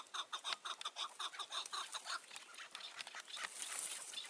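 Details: Chukar partridge calling near a trap on a mountain, June 2018, around dusk: a fast series of loud, clipped chuk notes for about two seconds, then fading into softer scattered notes and rustling noise.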